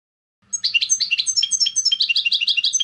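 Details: European goldfinch clean song for training novice birds: lively high twitters and trilled phrases pulsing rapidly, bright and varied, over a faint low hum.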